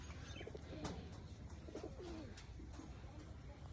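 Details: Pigeons with new babies in a village give low, soft, rolling coos over a steady low rumble.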